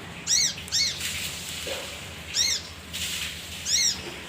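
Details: Male leafbird, kinoi, recording used as a lure for other birds: arched, harmonic-rich calls sweeping up and down, given in spaced pairs, four in about four seconds, over a faint low hum.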